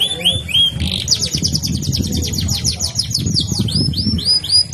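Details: Canary in long rolling song: fast series of high sweeping whistled notes repeated in quick trills, some lower slurred phrases, over steady low background rumble.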